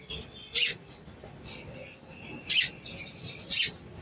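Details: Sooty-headed bulbul 'cuit cuit' lure calls meant to stir a silent bird into calling: three loud, sharp chips spaced one to two seconds apart over faint chatter.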